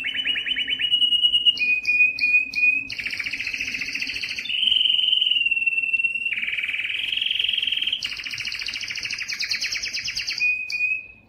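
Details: Yellow canary singing a varied song of rapid rolling trills and sustained tours, some buzzy and high, others lower and steady, each held for a second or more with abrupt switches between them.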